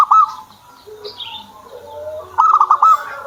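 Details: Zebra dove kept as a pet starts with a short coo, then after a pause a rolling burst of pulsed cooing notes. Light chirps and faint background sounds are heard in between.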